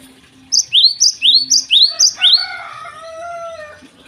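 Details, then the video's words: A Java sparrow sings in the morning: a regular series of five upswept high chips, then a lower, drawn-out trilled phrase fading away. "gelatik gacor di pagi hari"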